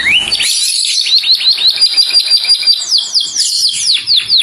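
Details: Calling its companion, a saffron finch opens with a rising whistle, then a quick, slightly buzzy trill of short notes, ending in several high down-slurred whistles repeated about twice a second.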